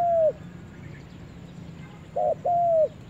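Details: Spotted dove out in the forest for the first time. The tail of a long falling coo opens the clip, then a pause, then a short burry note and a longer, smoothly sliding coo. A quiet low hum sits beneath.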